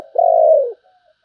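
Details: Single long, low, smooth coo from a spotted dove singing in 'sấm bầu' style, held steady and then sliding slightly downward before stopping.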